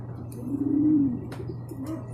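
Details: A racing pigeon coos as the group comes home from a second truck training release in Guiguinto, Bulacan. One low, droning coo of about half a second is followed by quieter murmurs, a sharp click, and a constant low hum.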